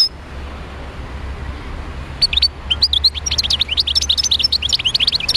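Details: European goldfinch, a wild bird from Médéa, starts singing after two seconds of quiet: bright tinkling chirps and short rising twitters, delivered quickly and growing steadily busier to the end.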